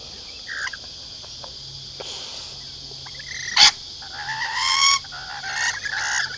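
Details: Lorikeets being hand-fed at Lane Cove Camping Ground near Sydney, Australia, several crowding in, give harsh, shrill screeching squawks in short irregular bursts, with one sharp clatter midway over a steady background hiss.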